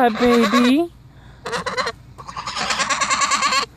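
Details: A pair of Sebastopol geese guarding their owner against her dogs give rough, nasal honks in quick stuttering bursts after a clear spoken phrase; the later calls run together in a harsh, pulsing series.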